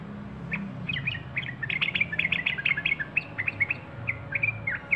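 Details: Sooty-headed bulbul singing: a lively run of short, bubbly, chattering notes at mid-high pitch, uneven and overlapping, with steady low background rumble throughout.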